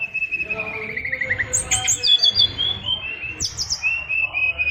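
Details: Oriental magpie-robin singing a 'isian luber' fighter song: a long run of descending whistled notes, then bright high chirps and repeated clear whistles, with a low background hum.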